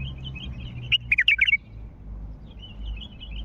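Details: A wild bulbul from Mandali utters a lively call, a burst of quick liquid warbled notes lasting about half a second, framed by soft high twittering and low ambient rumble.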